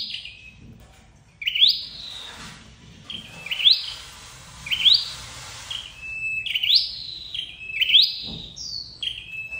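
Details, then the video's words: Call of a red-headed flowerpecker, played to lure birds into traps: a string of high, sharp rising notes, each ending in a thin flat whistle, repeated irregularly about six times with a brief hiss between. "Tiếng chim sâu đầu đỏ đi bẫy"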